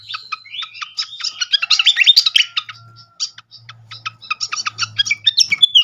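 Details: Fantail flycatcher song used as a lure to draw other birds into singing: dense, rapid, high twittering chirps and short whistled slurs, busiest in the first half, then thinner, quicker staccato chirps with brief gaps.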